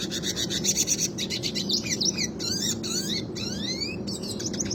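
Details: Classic Red Siskin rolling song, recorded as training material for other songbirds: rapid high rattling trills, then rising and falling whistled slurs and buzzy twitters, with a steady low hum underneath.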